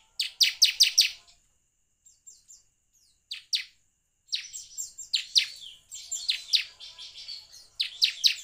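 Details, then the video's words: Bar-winged prinia (ciblek) lure song to encourage birds to sing. A quick burst of four sharp chirps is followed by scattered faint notes and a pause. Then come longer runs of piercing chirps mixed with high twittering. "pancingan ciblek semi agar bunyi"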